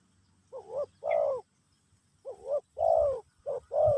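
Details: Spotted dove singing in the Pesom/Kacuk style during a session to teach a new bird: mellow hooting coos around a low pitch, grouped in short two-part phrases, each a brief note followed by a longer swelling coo, with quiet gaps between.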